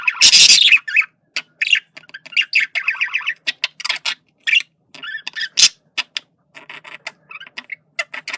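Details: Male budgerigar communication: a loud raspy squawk at the start, then scattered clicks, short warbled chatter phrases and sharp squeaks.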